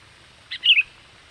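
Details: Sooty-headed bulbul lure call, used to draw wild birds in and described as lively and full of song: a short high note, then a quick bright warbled phrase of three linked chirps, over quiet background hiss.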